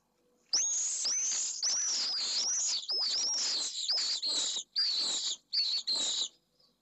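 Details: Pallid swift defending its nest box in Jerez de la Frontera, Spain, against an intruding swift; a rapid run of piercing, buzzy screams, each dipping at the start, running in bursts for almost six seconds.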